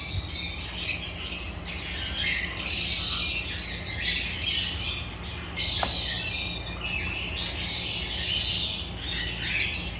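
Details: African lovebirds (Agapornis) chirping in a continuous high, scratchy chatter, with louder squawky bursts roughly every one to two seconds and a faint background hum.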